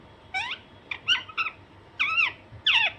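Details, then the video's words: Close Alexandrine parakeet giving a rapid mix of short chirps and longer rising-falling squawks, about six notes in three seconds, shrill and harmonically rich. "Alexanderine naughty parrot/parrot natural sound"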